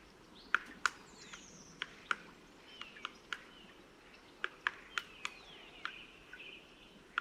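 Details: Black Woodpecker at close range in February, tapping different spots of the wood to hear whether it is hollow and find wood-boring insect larvae, with car noise in the background. About a dozen sharp, irregularly spaced single knocks; faint thin bird calls behind.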